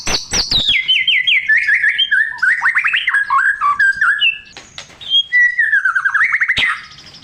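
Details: Varied white-rumped shama song for prompting a silent shama: descending stepped trills, warbling rising and falling notes, a short pause, then a long wavering whistled phrase and sharp clicks.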